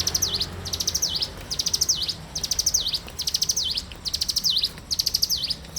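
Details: Bar-winged prinia song in the morning: continuous series of shrill rapid chip trills, each finished with a swooping downward-upward note, about seven phrases within six seconds.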